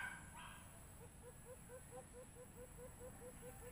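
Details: White-eared brown dove call broadcast from a Bluetooth speaker on a bird hunt: a rapid, steady string of about twelve short, low hooting notes, roughly four per second, after a brief louder sound at the start.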